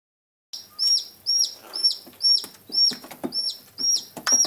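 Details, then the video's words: White greater rhea chicks aged 11 days and 1 day: high, thin peeping whistles, each a short flat note with a downward tail, repeated about twice per second, with faint rustling between calls. "Mimina bílého nandu pampového - rhea americana white"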